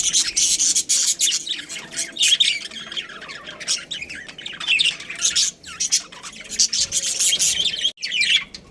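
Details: A breeding pair of pet budgerigars squawking and chattering loudly, harsh high notes mixed with quick twittering phrases, nearly nonstop.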